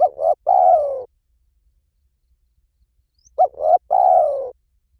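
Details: Spotted dove crooning in the 'liew tan' pattern, meant to prompt a trained dove to reply: two quick soft coos leading into a long mellow descending note, heard twice with a quiet gap between.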